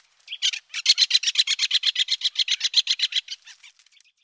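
A great spotted woodpecker gives a fast, harsh chattering series of about twenty sharp, high notes, roughly seven a second, fading at the end. Nothing else is heard.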